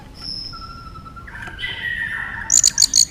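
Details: White-rumped shama, singing in competition with tail-flicking: long thin high whistles held steadily, then a louder fast series of bright, ringing high notes in the final second.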